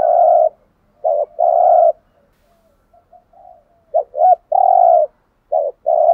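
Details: Decoy dove giving its thúc gù cooing: several low, mellow, slightly falling coos, each about half a second, mixed with short hooked double notes and soft faint murmurs between phrases, in a quiet setting with no other sounds.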